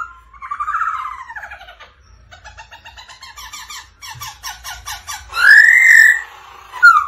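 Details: Black-throated laughingthrush male song prompted by the female 'ro ro' call: a warbled whistle, then rapid rattling trills of clipped notes, ending in a loud arched whistle.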